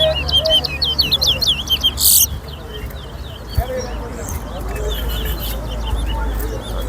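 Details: Chestnut-bellied seed finch (towa towa) in a singing race at an annual bird singing competition at Better Hope: a rapid run of clear, sweet whistles, loudest at first, then softer phrases over crowd voices.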